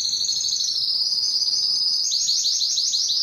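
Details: Belgian canary pouring out a loud, unbroken high trill, smooth at first, then breaking into quick rising pulsed notes.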